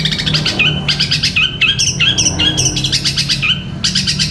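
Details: Long-tailed shrike pouring out a vigorous 'gereja petir' style song for teaching other birds: fast chattering notes mixed with short upward-sliding whistles, delivered continuously with rhythmic pulses, a low hum underneath.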